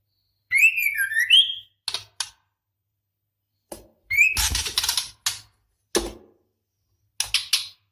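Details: Female white-rumped shama in breeding condition calling the male: a warbled whistled phrase rising and falling near the middle of its range, then sharp dry clicking bursts and a harsh rasping burst.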